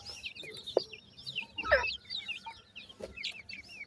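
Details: High, looping cheeps from young francolin (teetar) chicks while feeding, repeated in quick clusters. One louder harsh call and a few sharp taps stand out.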